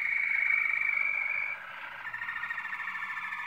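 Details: Malinois Waterslager canary, 2016, delivering a loud, sustained trilled roll that drops in pitch halfway through and continues as a softer, pulsing warble.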